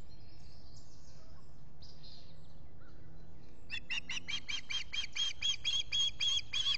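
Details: Osprey squawking at a nest in the Finger Lakes, US, on a July 2021 morning, filmed by a solar-powered nest camera while its mate preens. After quiet background hiss, a fast run of sharp, harsh chirps begins midway, about three per second.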